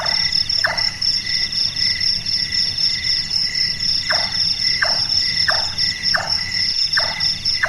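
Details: Large-tailed nightjar (burung tukang kubur) active at night, giving one early knock and then a steady series of six woodblock-like chonks, each under a second apart, amid persistent cricket and insect trilling.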